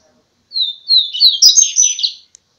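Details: Double-collared seedeater singing a first-quality song phrase: a bright descending whistle followed by several rapid warbled and slurred notes climbing higher, finishing in a short buzzy trill, with silence around it.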